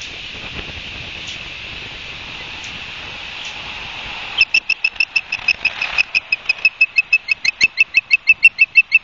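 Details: Osprey at the nest at Barnegat Light, New Jersey, on 31 August 2022 around 12:30: after several seconds of hiss, sharp high chirps begin, repeated about three times a second in a steady run over faint background noise.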